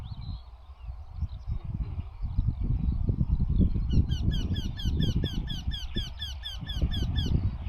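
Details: Eurasian Wryneck, a rare breeding bird in the Netherlands whose breeders return from Africa around mid-April, with migrants passing until mid-May, gives a ringing series of nasal, slightly falling 'quee-quee-quee' notes, about four a second, over steady low wind rumble.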